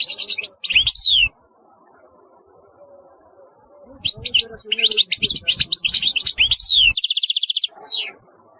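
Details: European goldfinch singing in two bursts of rapid, high twittering notes with quick rising and falling slurs. A dense buzzy trill comes near the end, with a short pause of quiet between the bursts.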